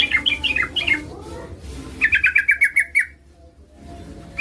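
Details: Female yellow-vented bulbul calls for a male, starting with jumbled warbling notes over steady low hum, then a fast run of clipped chirps that stops abruptly, followed by one more note.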